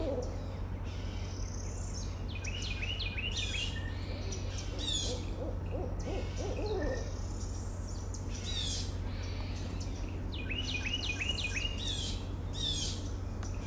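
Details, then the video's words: Barred owl giving a short burst of low hoots midway through, set against louder high chirps and trills from other birds and a constant low electrical hum. "Barred Owl"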